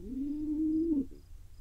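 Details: Single long, thin squeal from a wild pigeon chick fed by its father in Israel, held level for about a second before a quick downward slur and soft trailing note.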